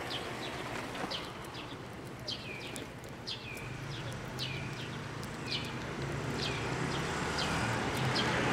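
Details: Sparrows flying in to be fed near a Tenmangu shrine on 8 April 2024, giving short falling chirps about once a second over steady low traffic-like rumble.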